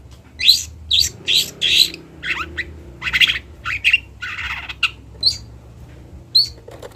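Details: Long-tailed shrike, local Kendal bird, singing a mimicking song of loud harsh squawky bursts and falling buzzy notes, then sparse sharp chips, over faint low background noise.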